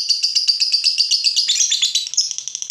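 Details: Lovebird, a fighter bird kept caged, agitated on seeing a rival: a fast, rasping high chatter of rapid repeated notes, steady at first, then broken and shifting higher in the second half.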